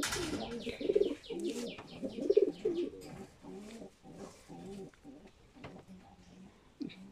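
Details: Domestic high flyer pigeons in a fancier's loft cooing repeatedly: low, throaty, rolling coos in quick pulses, louder in the first three seconds, then softer and trailing off, with light background rustle.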